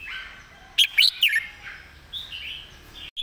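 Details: Red-whiskered bulbul singing a repeated master song phrase: a quick burst of three loud, sharp whistled notes, followed by softer warbled phrases, with a quieter bird singing in the background.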